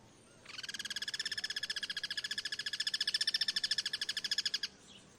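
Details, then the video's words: Wild Guira cuckoo in its natural habitat giving a steady, grating rattle of rapid harsh pulses that lasts about four seconds, swelling slightly toward the end before stopping abruptly. "El sonido del Pirincho: Cantos cruzados y vida en libertad"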